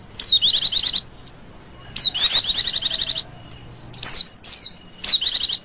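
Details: Oriental white-eye female lure call: falling whistled notes running into high buzzy trills of rapid beats, followed by isolated sharp downslurred chips and a final short trill.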